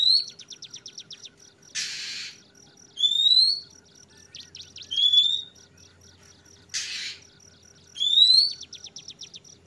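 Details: Oriental magpie-robin singing, giving clear, rising whistled notes every two to three seconds, with steady high-pitched buzzing and two brief bursts of rushing noise.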